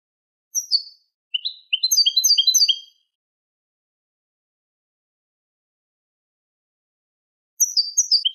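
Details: Malaga copla goldfinch song, Manolo style, used to tutor goldfinch and hybrid chicks: two quick high notes lead into a dense run of rapid twittering chirps, then a long silence before another fast tinkling burst begins.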